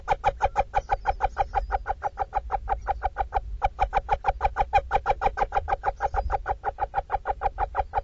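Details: Adult female little owl in a nestbox in Dorset, UK, chattering to her hungry chicks as she feeds them: an unbroken series of rapid, rough clucks, with faint high whistles in the background.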